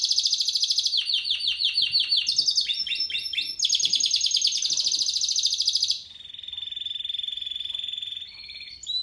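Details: Song of a Spanish Timbrado canary bred in 2017: quick metallic trilled tours changing every second or so, then a long steady rolling trill lower in pitch, ending with a short high phrase; no background noise.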